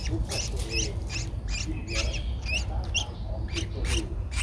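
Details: Nestling Streak-eared bulbul aged 11 days, recorded 13 April 2023 in Ubon Ratchathani, Thailand: busy, overlapping high squeaky chirps, some rising, some falling, in quick bursts over low background noise.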